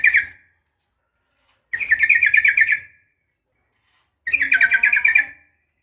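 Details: Yellow-vented bulbul female calling a male, ropel fighting style: a brief chirp, then two bubbly chattering phrases of about a second each separated by a long pause.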